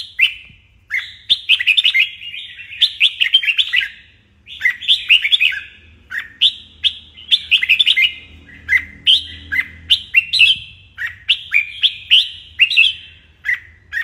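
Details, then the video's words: Red-whiskered bulbul delivering lively morning song used to stimulate young birds into competitive fighting song. Fourteen seconds of steady, rapid whistled phrases, bright notes dropping into lower slurs, a short pause after four seconds, faint low rumble beneath. "Luyện chào mào hót sáng"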